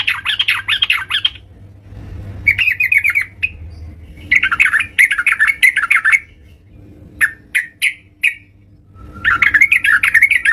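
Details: Yellow-vented bulbul in energetic song at home, giving several bursts of quick, bubbly chattering phrases with short pauses and a few isolated sharp chips between them. A steady low hum runs throughout.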